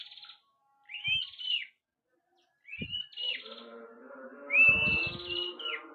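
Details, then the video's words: A red-headed prinia singing actively: short, clear, upslurred whistled notes given in separated phrases, with a low steady hum and faint knocks underneath. "Prenjak Kepala Merah Gacor Dor"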